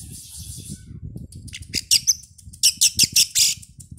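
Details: Oriental magpie-robin sounds used as a lure before a songbird contest, meant to get birds singing at the field: a quiet start, then a run of loud, harsh, rasping bursts repeated quickly in the second half.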